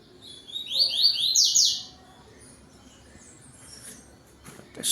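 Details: Yellow-billed double-collared seedeater singing in the tui tui style at home at 17:31 on 12 November 2025, as dusk falls. It gives a quick burst of sharp, high, downslurred notes lasting about a second and a half, then near-silence with faint chirps.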